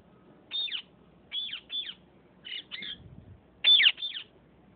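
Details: Fighting Sindhi parrots uttering loud harsh screeches, single and paired, falling in pitch, spaced about half a second apart, with a faint low thump in the background.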